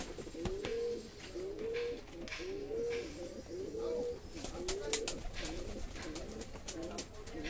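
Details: ['Rhythmic cooing from a fancy pigeon housed in a loft: low, upward-swooping coos repeat roughly once a second. Sharp clicks and taps join toward the end.']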